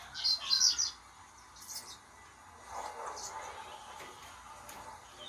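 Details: Two-month-old blue-black grassquit (Volatinia jacarina) in a training cage, beginning to learn its song: faint, halting subsong of thin, high, scratchy chirps in short irregular bursts, with a low murmur behind.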